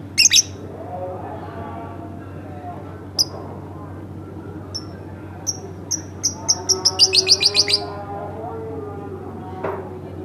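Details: Home-kept pet lovebird: scattered shrill high chirps that speed up into a fast run of sharp repeated notes before stopping, with one lower rasp near the end and a steady low hum underneath.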